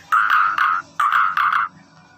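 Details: Nias hill myna uttering four loud, buzzy nasal notes in two pairs, each held steady on one pitch, in a quiet room.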